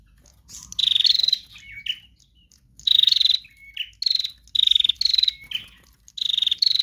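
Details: Chattering female bar-winged prinia. Bursts of buzzy, rapid pulses are each followed by a short, thin, level note and a quick lower twitter. The pattern repeats every second or two.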